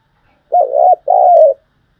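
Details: Spotted dove kept as a trapping decoy gives a single short phrase: a hooked coo, then a longer, smooth, slightly falling coo, against a quiet background.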